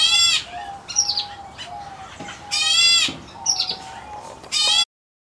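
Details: A white-headed Black Bulbul chick (Hypsipetes leucocephalus), an aviary bird, gives three loud, harsh, rasping bursts about two seconds apart, with thin high squeaks between them over a faint steady hum.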